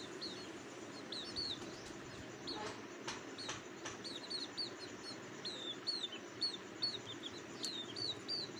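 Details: Hungry cuckoo chicks begging in the nest: thin, high, slurred calls repeated in quick bursts, some rising then falling, over a low background hum, with a few soft clicks and rustles.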